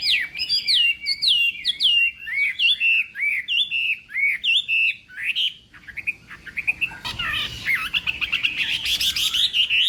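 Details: Chinese hwamei in morning contest singing: repeated whistled phrases dropping in pitch in steps, then a brief lull before a harsh, rapid chatter of busy notes.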